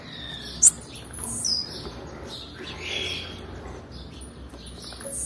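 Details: A blue-black grassquit female calls to excite males. One short, piercing high chirp opens the clip, then a faint thin note and soft hissing background.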